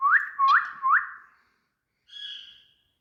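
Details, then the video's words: Talking parrot in India giving three quick rising whistles, each sweeping upward, then after a short pause a softer, flat, buzzy note. "Talking Parrots"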